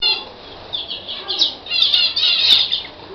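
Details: Libyan canary singing: a continuous run of bright, high trills and warbled notes that swell louder through the second half, with rapid chattering phrases and no other clear sounds.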